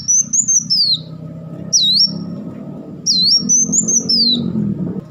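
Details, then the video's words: Black sunbird singing rapid bursts: three high swooping whistled phrases, dipping and rising, over a constant low rumbling background that swells toward the end. "crecetan dan tembakan beruntun Kolibri Wulung"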